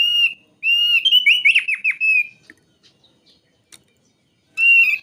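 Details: Thick-billed white-eye, a bird endemic to Sumbawa and Flores kept by songbird hobbyists, used as a lure to make it sing: a loud, high, slurred whistle runs into a rapid warbling trill, then silence and another sharp whistled phrase.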